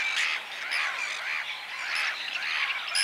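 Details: Whiskered tern flock producing continuous rasping, buzzy calls, overlapping voices with occasional sharp high squeaks.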